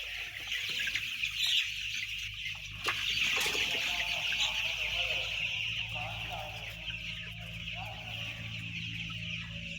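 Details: Ten thousand white chicks cheep en masse, a shrill continuous twittering carpet of rapid overlapping peeps, with a brief louder burst early on and a low background hum.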